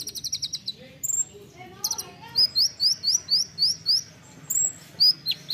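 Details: An olive-backed sunbird in a dense, rapid training song gives a fast run of thin, high, sharply rising chips, about four a second, with a few lower twittered notes mixed in.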